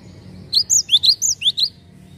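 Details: Java sparrow calling on a lure recording used to draw in other birds: a quick run of about seven high, bright chirps lasting just over a second over a faint low rumble.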